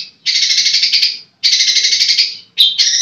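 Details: Caged long-tailed shrike producing extended grating buzzy phrases, two long rasps then a shorter broken one, bright and high with a quiet background.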